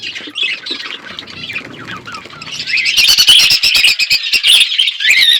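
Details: A flock of budgies in an outdoor aviary warbles quietly, then breaks into loud continuous squawky chatter with rapid clicking chirps for the last half.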